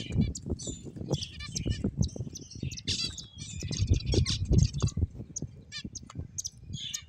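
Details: A group of finches gives a steady stream of tiny high chirps and trills, overlapping unevenly, over continual low rustling and thumping sounds.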